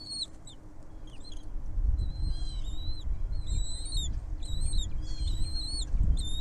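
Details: Baby birds in a nest as their mother brings food to feed them: thin, high whistled squeaks in quick bursts of several notes, coming about every second and often overlapping, over a heavy low rumble.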